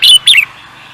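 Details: Bird raised for singing competitions producing two loud, high, ringing notes a moment apart, the second with a falling twist, against faint hum.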